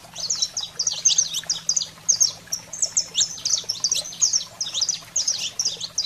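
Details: Excited 'fogo selvagem' song of a saffron finch, played to stimulate pet canaries: quick runs of high, piercing chip notes and downslurred chirps, packed closely with brief gaps, faint steady hum in the background.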